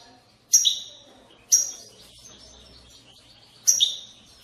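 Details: Batbata notes of a European goldfinch, used to encourage other goldfinches to sing: sharp, high, falling chirps in brief clusters, three bursts separated by near-silent pauses of one to two seconds.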